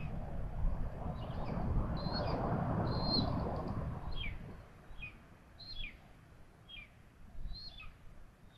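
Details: Common buzzards at their nest in Tiszalök, Hungary, during feeding: repeated thin, falling mew calls, some paired, continuing steadily after an early stretch of louder rumbling noise that fades.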